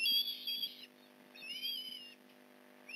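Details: Osprey calling at the Port Lincoln nest as a fish is delivered, morning of 15 November 2019, 8:24am: two short bursts of high, piping whistled notes separated by a pause.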